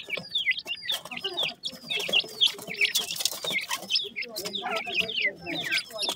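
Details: Black francolin chicks during morning feeding, a dense chorus of many high chirping and trilling notes overlapping continuously, with some clucking and background voices.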